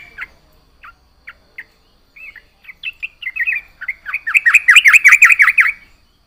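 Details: Yellow-vented bulbul singing vigorously: a few scattered chirps quicken into a rising stream of notes, ending in a loud, rapid, rolling warble of bouncing phrases.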